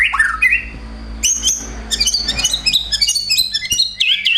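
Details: Male white-rumped shama delivering its repertoire of house-sparrow fighting imitations: harsh squawky notes, high thin squeaks and twisting whistles tumbling together in fast, uneven bursts over a faint steady background hum.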